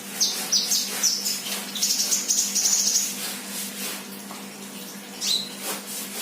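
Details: Sunbird, a 'bahan' bird singing actively: trilled, buzzy high phrases of fast-repeated notes for three seconds, then quieter chatter and a single sharp falling whistle, over a low droning hum.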